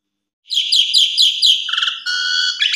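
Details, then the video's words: Melodious Asian pied starling song opening with five evenly spaced rich, ringing whistled notes, followed by a low burry trill and a steady sustained whistle ending in a quick chattered flourish. "Suara Jalak Suren BERDAYU DAYU Seketika Langsung Respon Jalak Suren Macet Berkicau"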